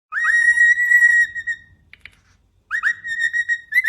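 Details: Pet cockatiel whistling from atop its cage: clear whistled phrases with rich overtones, a long level note then rising slurred notes after a pause.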